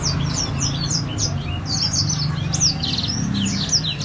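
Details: High, bright twittering song from a grey singing finch in gacor style, made of quick down-slurred chirps and short trills in a steady stream over a noticeable low rumbling hum.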